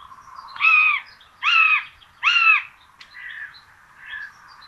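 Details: Common buzzard nest with two chicks fed rabbit for breakfast, Tiszalök, Hungary, 26 June 2022. Three strong, arched, mewing calls come in quick succession, then fainter shorter notes, with small birds chirping faintly behind.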